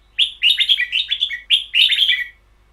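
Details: Caged red-whiskered bulbul singing in the "boen yao" (long double) song style: quick bursts of rich warbled, slurred notes, rising and falling, packed into two phrases separated by a short pause, on a quiet background.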